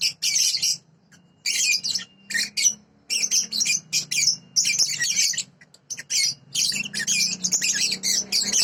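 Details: Sooty-headed bulbul, a clean master recording of its original voice: bursts of bright, high chattering and twittering notes that come in phrases about a second long, with short pauses between them and a faint low hum underneath.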